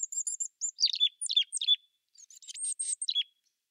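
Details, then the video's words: A chickadee gives a rapid run of thin, high chips and slurred notes, then a few buzzier, harsher notes, all within about three seconds; nothing else is heard. "Chickadee Sound Effects"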